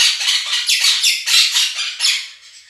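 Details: Two domestic Quaker parrots calling loudly over played budgie chatter and song; a quick string of harsh, scratchy screeches, roughly four per second, trailing off softer at the end.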